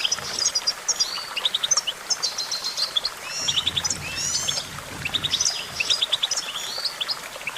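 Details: Goldfinch song of quick tinkling chirps and twisting, slurred trills delivered in busy phrases, with soft background noise underneath.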